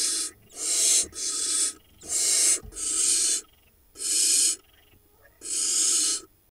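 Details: Young barn owls in a monitored Israeli nest, Hula Valley, late June 2021, begging as their father feeds one of them a vole; loud wheezing hisses in bursts about half a second to a second long, irregularly spaced, some joined together.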